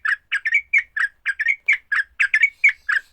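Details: Fighting song of a sooty-headed bulbul, played to make other bulbuls sing: loud, throaty chirps in quick pairs and triplets, some ending in a clear rising whistle, about one per second.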